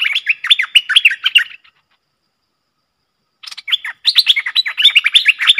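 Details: Pair of Streak-eared bulbuls fiercely dueling in song, recorded 30 October 2021: rapid bursts of chirpy, slurred whistled notes, a pause of about two seconds, then a renewed lively chatter.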